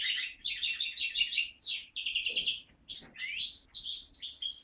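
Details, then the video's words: Linnet × Waterslager canary mule, home-bred in 2012 and recorded in 2013, delivering a varied, fast warbling song of trilled phrases, buzzy rolls and quick downslurred notes, with short pauses between phrases in a quiet setting. "chant mulet linnot x waterslager"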